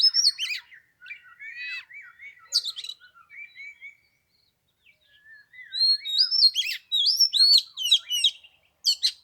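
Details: Oriental magpie-robin singing in cold Tet weather: varied whistled notes, lower slurred phrases, a brief pause, then a lively run of high looping whistles and sharp notes.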